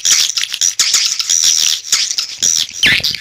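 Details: Swiftlet call sound used to attract birds: a continuous shrill chatter with short, thin whistles, ending in a quick downward squeal.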